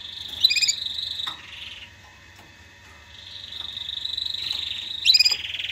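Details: Canary singing for mating stimulation and for chicks to learn: a high trill with sharp accented notes drops into a lower buzzy roll, pauses quietly, then repeats a similar sequence.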